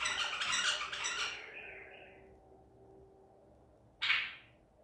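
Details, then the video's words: White-eared bulbul of the Baghdadi type, caught at Medical City, 14 April 2021, sings a loud burbling phrase that trails into a softer tail, then falls silent before one sharp, bright note over a low indoor hum. "تغريد بلبل طور بغدادي"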